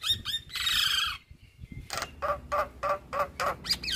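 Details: Javan myna, from a master recording meant for training other birds, giving a long harsh screeching squawk, then a pause and a series of rough nasal notes repeated about three times a second.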